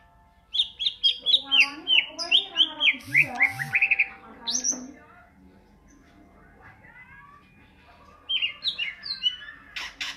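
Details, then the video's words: Greater green leafbird singing in ngentrok style: rapid bursts of high, sharp chirps and downslurred whistles, about four notes a second, pausing for several seconds before a shorter run resumes; faint speech in the background. "cucak ijo gacor ngentrok"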